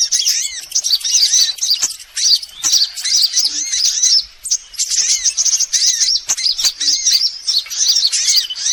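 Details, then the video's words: A lure track mixing every sort of sunbird to draw birds in. Busy, high-pitched twitters and sharp chirps come in bursts with short pauses, and the notes sweep quickly up and down. "Suara pikat semua jenis burung kolibri"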